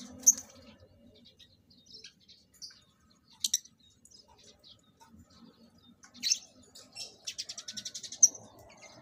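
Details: Captive lovebirds being paired for mating by a breeder; scattered sharp, high chirps with long quiet gaps, ending in a quick run of rapid ticking notes and a final shrill peep.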